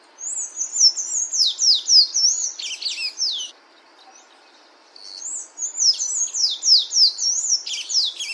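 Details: Sayaca tanager singing in nature, giving two runs of rapid, high, squeaky sliding notes, about three seconds each, separated by a brief pause, with a faint steady background hiss.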